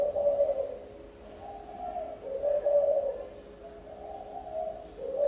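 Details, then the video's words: Spotted dove song of the thổ âm style, with soft low hollow coos in repeated rolling phrases, roughly one every second or so. A constant thin high-pitched tone runs beneath throughout. "Chim gáy thổ âm"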